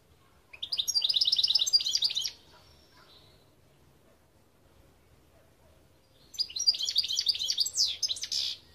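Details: Two bursts of European goldfinch song (Gardelina), each a fast, liquid twitter of high chirps and trills, separated by about four seconds of near silence.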